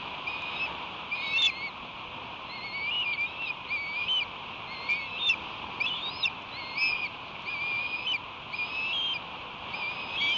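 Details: Nest of ospreys in July 2021, where fledgling-age young about eight weeks old steal a striped bass from one another. Sharp, thin whistled chirps with upward flicks recur irregularly throughout, and a steady hiss lies beneath.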